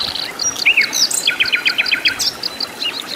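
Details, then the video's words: Wild flycatcher (sikatan londo) singing in its natural habitat: lively high-pitched song of varied whistled notes, including a quick run of six or seven sharp downward strokes, with other faint chirps in the background. "KICAU BURUNG SIKATAN LONDO GACOR DI ALAM LIAR"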